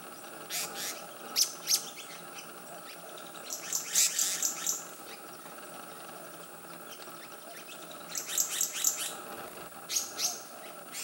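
Black-naped monarch giving sharp, high, rasping chips in short bursts of three to six, separated by brief pauses, over a steady soft background hiss.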